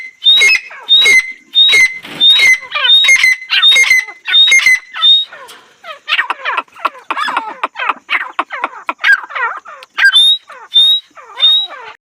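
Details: Female painted francolin giving loud, harsh notes, each paired with a thin high whistle, at about one per second. These fade into a softer, quick chattering series, and the whistled notes return near the end.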